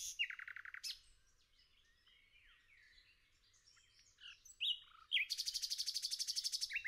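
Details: Nightingale in forest: a loud, harsh buzzy phrase, a pause of quiet varied notes, then rising whistles leading to a long, rapid, even rattle of repeated high notes.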